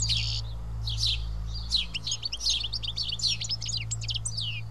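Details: Several house sparrows eating together at Karyotissa, Greece, give bursts of bright chirps and quick downslurred tweets in irregular clusters, over a constant low droning hum.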